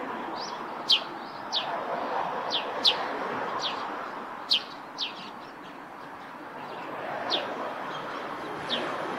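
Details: Sparrow song at a roof nest: a Eurasian tree sparrow delivers clustered high chirps, several in close succession, then a quieter stretch with scattered single notes over low background noise.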